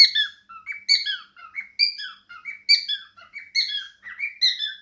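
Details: Chattering song from a pet male cockatiel indoors, with budgies also present; quick, bright chirps with strong overtones, most sliding down in pitch, packed in irregular groups about once a second.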